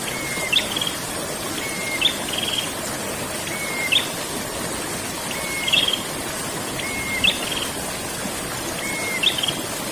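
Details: Prinia giving its rolling ngerol song, used as bird therapy and training audio: a short flat whistle leading into a high buzzy trill, repeated about every two seconds over a constant broad hiss.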